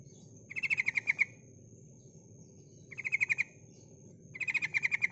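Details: Female yellow-vented bulbul calling to lure males: three bursts of rapid, chattering notes, each lasting under a second and separated by gaps of about 1.5 seconds, over a steady high electronic whine and low background rumble.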